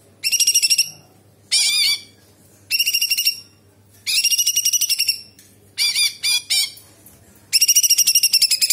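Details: Cucak cungkok bulbul giving its sharp tembakan and kapas tembak fill: repeated shrill pulsed phrases under a second long, some broken into rapid choppy notes, ending with a long fast high trill.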